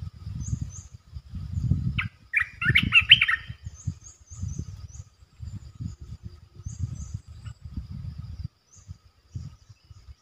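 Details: Resident red-eyed bulbul gives a short cluster of bubbly chirps amid loud low rumbling noise, with thin high notes of other birds scattered through.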